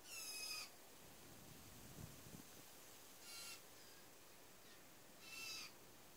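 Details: Fledgling blue jays being fed in a back yard in Newfoundland give three harsh, raspy begging squawks, spaced about two to three seconds apart, over quiet outdoor background.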